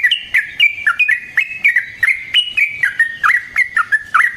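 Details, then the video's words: Sooty-headed bulbul (trucukan) rapid lure song for training other birds: a continuous string of short chirped and bubbling notes, roughly three to four each second, bouncing up and down in pitch. "Burung TRUCUKAN GACOR Ropel Panjang Cocok untuk PANCINGAN Trucuk bahan dan MASTERAN Burung Trucukan"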